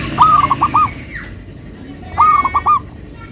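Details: Local zebra dove song with a melodious rhythm: two clear phrases about two seconds apart, each a rolling series of four or five quick, ringing coo notes, over quiet background hum.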